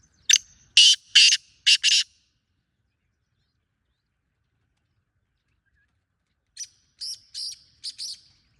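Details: Wild black francolin producing a loud phrase of four harsh, rasping notes, a silence of several seconds, then a softer, more distant-sounding repeat of five buzzy grating syllables.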